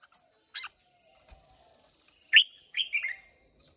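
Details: Wild-caught red-whiskered bulbul from Hoa Binh, contest singing on 30 May 2023, gives a sharp note, then a quick run of three slurred, bubbly whistled notes after a pause, with a steady high hum behind.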